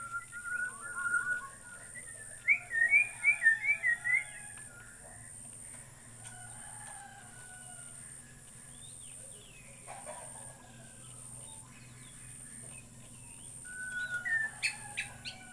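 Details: White-rumped shama in Borneo sings a quick run of bright rising whistles, then falls mostly quiet with faint scattered notes before a brief louder phrase near the end.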